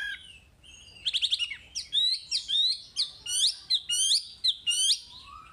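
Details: Vigorous song of a Chinese hwamei, used to prompt untrained caged birds: starts with a quick burst of sharp trilled notes, then loud varied whistled phrases with rising slurs, delivered in rapid, uneven sequence.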